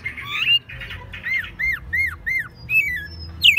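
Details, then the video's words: Caged American robin, hand-raised from a chick and kept as a pet in Mexico City, singing in spring, March 2020; loud clear whistled phrases, some falling and arched, some rising, in quick bursts with short gaps. "Mirlo Primavera, el pájaro melómano cantando en CDMX"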